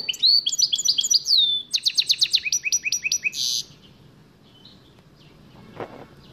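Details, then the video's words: Goldfinch mule, a canary cross with a goldfinch, delivering a quick sequence of slurred twitters and repeated sharp downward notes, ending in a harsh buzz, followed by near-silence and one faint thump. "goldfinch meul singing"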